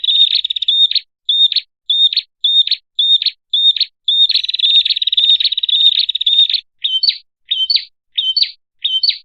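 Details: Prinia call used for luring birds, a series of short clipped whistles each ending in a buzz, repeated roughly twice a second, broken by a longer rapid buzzy trill in the middle, then slightly higher, rising double notes.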